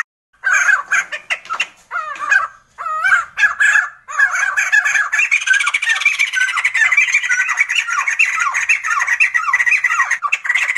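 Sumatran laughingthrush giving loud, harsh, chattering notes that swell into a continuous babbling, laugh-like chorus of squawks and rising and falling whistles.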